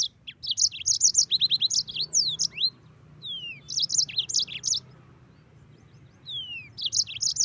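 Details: Several phrases of yellow-fronted canary song, each a quick burst of high chirped notes and short trills mixed with downslurred whistles, separated by short pauses, against a faint steady hum.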